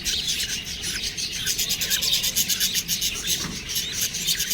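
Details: Young budgerigars give rapid, raspy chirps, about four pulses a second, layered over a constant high-pitched chattering from several birds.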